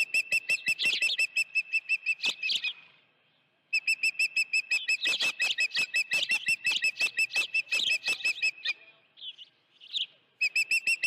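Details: Dunrovin Ranch osprey nest, 16 June 2019, with a live fish: long runs of fast, evenly repeated piercing whistles, nearly three per second, overlaid by louder wavering chirps, with one short silent gap.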